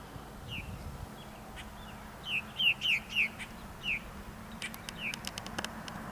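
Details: One of three feathered purple martin nestlings in a yard nest gives short, high, down-slurred chirps in a quick run of five or six, followed by soft clicking and rustling against a low hum.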